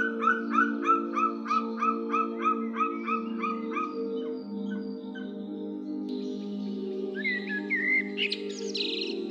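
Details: A young white-tailed eagle (Haliaeetus albicilla) gives a quick series of harsh, yelping notes, about three a second, then higher squeals, over a steady low drone.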